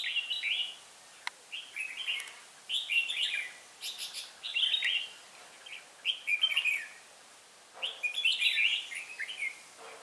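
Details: Red-whiskered bulbul decoy bird used for trapping in Hòa Bình, recorded 18 December 2016, singing in the ché style: short bright warbled phrases, often doubled, repeated every second or two, with sharp clicks between.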